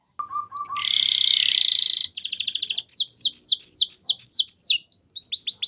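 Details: Canary singing a training lure song: a few low piping notes, a dense buzzy rolled phrase lasting about a second, a quick trill, then repeated descending whistles with high accents.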